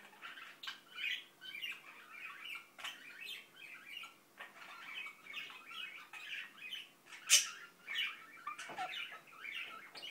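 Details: Continuous low chatter from an Indian ringneck parakeet, with rapid throaty muttered syllables rising and falling in short phrases and one shrill squawk near the end.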